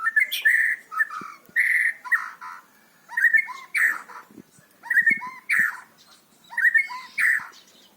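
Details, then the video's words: Loud varied white-rumped shama song meant to coach young birds: short bright whistled phrases with sharp downslurred notes, delivered in separate bursts roughly every second with brief silences between, recorded close in a quiet setting. "murai batu gacor volume keras cocok untuk pancingan burung murai macet"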